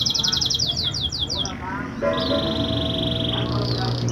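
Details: Lure song of a canary for stimulating reluctant singers: a quick series of descending swept notes, a brief lower trill, then sustained high whistled tones and a short rapid trill at the end.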